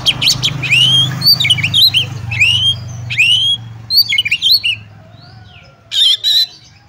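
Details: Fighting oriental magpie-robin delivering ngobra-style song packed with bursts, aimed at testing another magpie-robin's mettle: loud rising and falling whistled sweeps, chattering notes, then a harsh buzzy blast, over steady low background hum.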